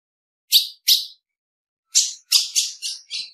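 A female ultramarine grosbeak gives six short, high, hissy chips: two close together, a pause, then four in quicker succession. Nothing else is heard.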